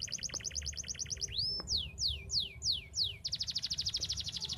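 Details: Canary song used to stimulate other canaries: a rapid chattering trill, a rising whistled slide, several slow downward-swooping whistles, then a fast bright trill again.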